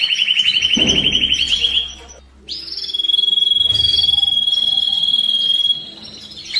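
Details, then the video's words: Canary singing to excite and stimulate birds for breeding: a quick trill, a short pause, then a long pure sustained whistle held steadily for about three seconds. "تغريد الكناري للتسميع في مرحلة القلش و الراحة"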